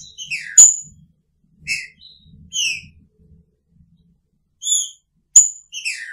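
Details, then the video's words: Green-winged saltator in a cage beside its female, picharro style, giving clear slurred whistles that drop in pitch, with sharp high snaps between phrases and a faint low rumble beneath. "Trinca Ferro com sua fêmea!! Picharro"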